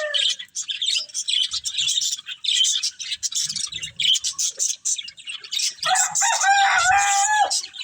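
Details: Budgies feeding on green food chatter in quick, high, scratchy chirps and warbles. A loud, long harmonic call, perhaps a rooster crowing, sounds near the end.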